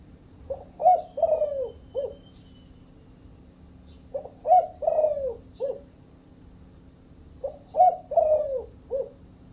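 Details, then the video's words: Cooing spotted dove, Thai vân rồng type. Three well-spaced phrases, each of four to five low hollow notes, with a bright coo followed by a long downward-sliding note and a short tail. The phrases are about three seconds apart over a faint hum. "Tiếng chim cu gáy Thái vân rồng - The sound of the Thai cuckoo bird."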